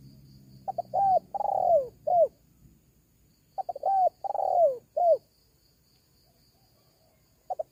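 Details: Lure call of a spotted dove for attracting wild doves: the full cooing phrase of stuttered notes, a long falling coo and a closing note, given twice about three seconds apart, then a new phrase begins.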